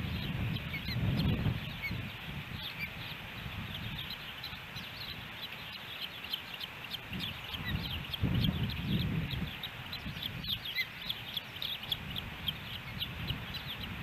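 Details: Ospreys at their nest in Hellgate Canyon, Missoula, Montana, filmed by nest camera on July 13, 2018, a day of three fish deliveries. Faint high chirps repeat steadily throughout over a continuous low rumble, with louder rumbling bursts.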